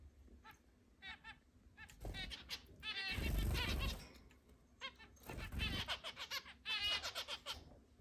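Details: Eight caged pet zebra finches, free-flying indoors at times, recorded 10 July 2022: rapid overlapping nasal beeps and chatter, with a broad rushing noise, possibly wingbeats, in the middle.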